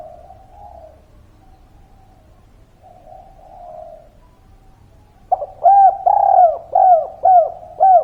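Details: Spotted dove of local wild stock giving its three-note kuk 3 coo: two soft, muffled coos at first, then a burst of five loud, hollow, downward-curving hoots in steady rhythm.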